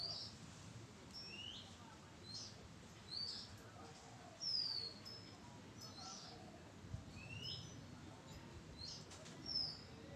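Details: Oriental magpie-robin recorded 05-06-23, giving a string of short, high whistled notes, some sliding down, others rising, scattered over ten seconds against steady low background hiss.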